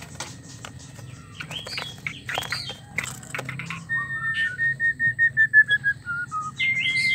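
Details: White-rumped shama mating sounds, used to stir a male into singing. Scattered sharp chirps and clicks, then a run of about ten clear whistled notes, each slightly lower than the last, ending in a high steady whistle over a low background hum.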